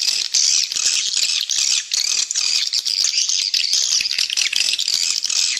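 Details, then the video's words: Swiftlet lure call used to attract swiftlets and increase the population: rapid, rattling high chirps from many birds in a thick, continuous chatter, with a few brief lulls. "Suara Panggil Burung Walet - Terbukti Nyata Menambah Populasi"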